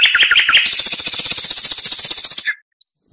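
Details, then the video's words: Energetic oriental magpie-robin song used as tutoring material: a dense, rapid rattling trill of harsh chirps lasting over two seconds, then a brief rising whistle. "MASTERAN KACER .MATERI FULL ..awas nanti burung anda ikut gacor.!!"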